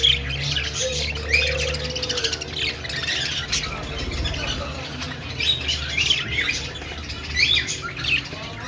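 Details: Aviary flock of budgerigars giving busy, overlapping chirps, harsh squawks and twittering warbles throughout, over a low humming background.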